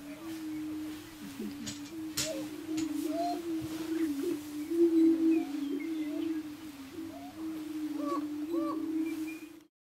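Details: Lekking greater prairie chickens at a Nebraska ranch, 2011, keep up a steady low moaning drone while short rising whoops and yelps pop out above it, with a sharp click early on.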